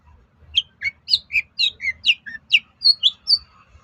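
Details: Cendet (long-tailed shrike) song meant to make other shrikes reply: a rapid string of short, varied whistled and chirped notes jumping between pitches, about three per second, with light low thumps.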